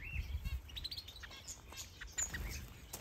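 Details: Mixed birds in a large planted aviary in Denmark holding finches, softbills, partridges, quails, canaries, goldfinches, gouldian finches, java sparrows and turacos, many breeding with eggs or chicks; quick overlapping high chirps and tweets over low rumbling background noise.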